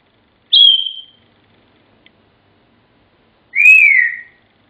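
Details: Pet African grey whistling Pop Goes the Weasel: a high, clear whistle fading downward, a faint click, then a second slightly lower whistle that rises and falls, against a silent room.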